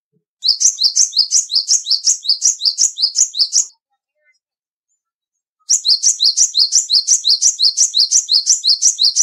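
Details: Small black, white and grey tit singing long runs of sharp, high paired notes, roughly three per second, one phrase over three seconds long, a silent gap, then another extended phrase.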